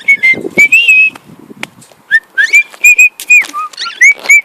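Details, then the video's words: Pet cockatiel singing and flying, whistling indoors: short clear whistled notes, some level and some rising, given in quick bursts with brief scratchy sounds between them. "My cockatiels singin and flyin"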